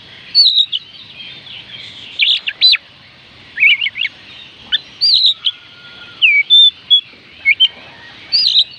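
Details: Kacer, the Oriental magpie-robin, singing, a recording played to coax lazy birds into song: bursts of quick, twisting whistles and chirpy notes in short groups, separated by brief silences, with one long steady lower whistle in between.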